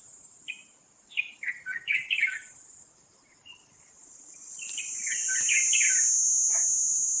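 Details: Wild Taiwan Blue Magpie during nestling rearing at Taipei Zoo, Taipei, 11:43 on 7 May 2022; two bursts of rasping, chattery notes in rapid succession, with a loud continuous shrill insect drone that swells toward the end.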